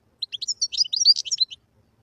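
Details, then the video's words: Quick bright twittering song phrase from a wild European goldfinch: a run of varied high chirps and tinkling slurred notes, just over a second long, in otherwise quiet surroundings. "تغريد الحسون البري #goldfinch_song"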